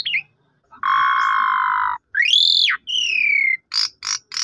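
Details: Asian pied starling song used as a lure for a silent bird: a sustained flat reedy tone, a rising-falling sweep, a long descending whistle, then three brief buzzy bursts.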